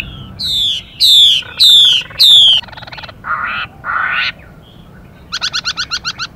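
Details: Chinese hwamei male singing with a female's rapid hissing calls: four loud descending whistled phrases with harsh overtones, some raspy buzzy notes, then a fast rattling burst of about eight rough notes.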